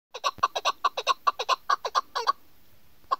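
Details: A female chukar partridge (Alectoris chukar), recorded as a hunting call, gives a rapid run of about fourteen harsh, clucking chuck notes, several per second, then pauses before a single final note.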